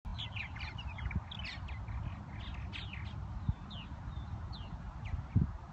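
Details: Purple martins in spring at Irving Park and Lake Michigan, Chicago: a burst of chirpy, gurgling notes over the first three seconds, then sparse single chirps, all over a steady low rumble of wind or traffic.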